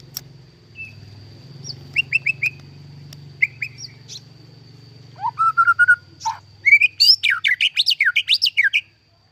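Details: White-rumped shama from captive breeding: scattered short triple chips, then a whistled rising note into level repeated whistles, and finally a rapid cascade of loud varied notes sweeping high and low, about fifteen in three seconds.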